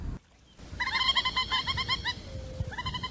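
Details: A Peruvian thick-knee near Lima, often heard at night in the countryside, sings a fast series of loud, ringing, slightly nasal notes, about eight per second, pausing and resuming, over a low rumble.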